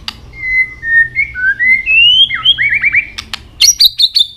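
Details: White-rumped shama stimulating fighting song: steady clear whistles stepping up in pitch, a rising glide, quick looping slurs, then sharp clicks and a high buzzy trill.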